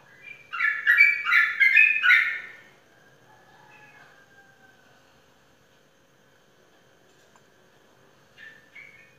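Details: Sooty-headed bulbul, a caged Indonesian competition winner, gives a brief loud burst of bubbling notes lasting about two seconds, then near silence with a faint thin tone and a short chirp near the end.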